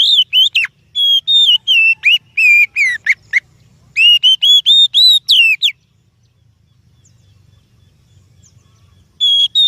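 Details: Oriental magpie-robin song for luring other birds: rapid series of loud whistled notes, some sliding down, some wavering, in two long bursts, then a quiet gap before a final phrase.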